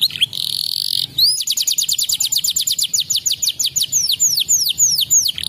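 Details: Canary song played to stimulate canaries. It opens with a buzzy rolled phrase, then a rapid series of high falling chirps. These stretch into slower, longer down-slurred whistles.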